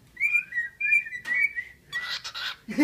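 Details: Singing pet bird, formerly owned by someone else and now kept by a family, recorded 27 January 2014, gives clear whistled notes, level then slightly falling, in quick phrases, followed by a burst of rough chatter.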